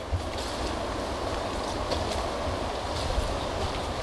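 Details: Steady rushing, stream-like noise with low thumps and no distinct animal call.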